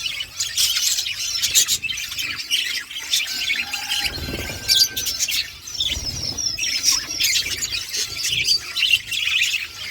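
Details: Aviary flock of budgerigars outdoors, giving scratchy high chattering, short whistled notes and chirps, with occasional soft low bumps.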